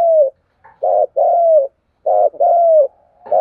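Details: Spotted dove from Đồng Nai, Vietnam, calling as a decoy lure: deep paired notes, a short grainy coo then a longer level coo gently falling, repeated about every second, steady and clear.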